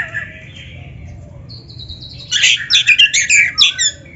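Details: Kacer, the magpie-robin, singing for a tutor recording meant to train other birds: soft drawn-out whistles, then from about 2.3 seconds a loud rapid run of chattering, buzzy notes repeated several times a second.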